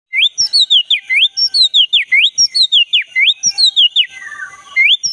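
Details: Black-breasted Oriental magpie-robin singing actively, natural forest sound, used to prompt a caged magpie-robin that has stopped singing; a loud whistled phrase, a swoop down then up, repeated about once a second, ending in a softer descending trill.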